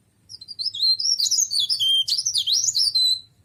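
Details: Cikrak daun leaf warbler (tralis), an ornamental bird, pours out a continuous, rapid, high warble of looping, rising and falling whistles for nearly three seconds. Soft low hum lies in the background.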